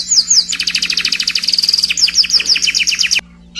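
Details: Scotch Fancy canary song: quick downslurred whistles give way to a fast, even trill, then another run of sweeping notes before stopping abruptly; faint low hum in the background.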